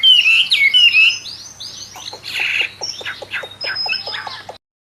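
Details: Albino hwamei of captive origin gives loud slurred whistles, then a softer series of quick clicking notes repeated about twice per second before falling silent.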